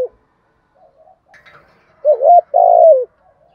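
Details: Spotted dove urging coo in the 'giọng thổ' style, used to draw in wild doves. Soft faint notes come first, then one loud phrase: a wobbling double note and a long, slightly descending coo.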